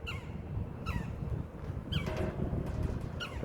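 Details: A woodpecker at Kansas City Zoo on 5 April 2023 gives four short, harsh, downward-slurred calls spaced irregularly over a few seconds, over a steady low rumble and faint voices.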